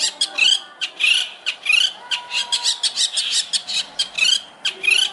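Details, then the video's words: Master song of a Long-tailed shrike for training: rasping, squealing notes delivered in an uneven but continuous stream, about one and a half per second, all harsh and scratchy. "masteran cendet juara"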